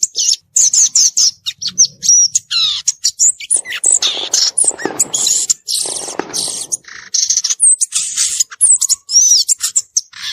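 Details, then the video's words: Wild violaceous euphonia in a long, dense run of high twittering, chattering notes, mimic-like chips and scratchy buzzes with scarcely a pause, short whistled slurs mixed in. "Gaturamo verdadeiro cantando na natureza"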